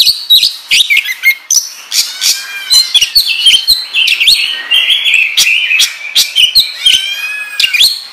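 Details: A captive Oriental magpie-robin (kacer), used as a lure to spur other males to sing, sings rapidly: a torrent of bright whistles, sharp chips and scratchy trills, high-pitched and almost unbroken throughout.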